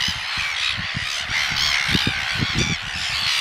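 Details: Red-billed gulls at Pukekura / Taiaroa Head, Otago Peninsula, during a pair's courtship feeding, one begging food by tapping the other's bill. The sound is harsh, nasal, overlapping squawking calls, continuous and dense, with low thumps and knocks underneath.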